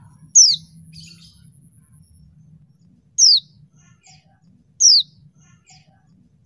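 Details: Female mountain white-eye used to stir up males that are slow to sing. Loud high down-slurred notes repeated roughly every one and a half seconds, each followed by softer short notes, against a steady low hum.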